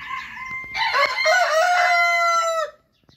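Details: Rooster crowing, one of a group of Orpington and Marans roosters: a loud, harmonic-rich cock-a-doodle-doo that rises into a strong sustained middle and then trails off, followed by near silence.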